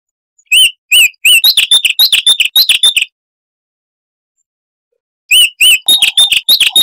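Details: Loud, crystal-clear song of a Chestnut-vented warbler, a southern African scrub bird: a few bright slurred whistles then rapid high chips, a silence of about two seconds, then the same phrase repeated.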